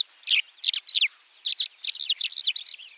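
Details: White-winged lark (Alauda leucoptera) giving clustered bursts of scratchy, high chirping notes, several rapid groups separated by short gaps.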